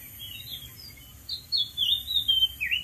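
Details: Oriental magpie-robin in the wild, perched on a dead tree, delivering a bright whistled song: soft notes building into loud, rapid warbled and slurred phrases rising and falling, over a low hiss.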